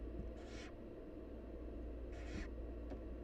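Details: Nest of wild barn owls, the mother feeding her nestlings, which give two drawn-out, broad hissing screeches about a third of a second long, followed by a brief faint click, against a steady low hum.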